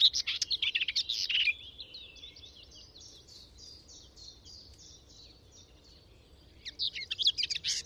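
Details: Garden warbler singing from deep within a hedgerow, recorded with a Sound Devices MixPre 6 II and Telinga parabolic microphone: fast, scratchy warbled chatter bursts at the start and end, with a fainter evenly repeated series of high notes between them.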